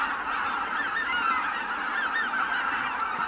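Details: Greater white-fronted geese lifting off from their roost, distinct rising-and-falling yelping honks standing out above a busy chorus of the flock, several calls in quick pairs.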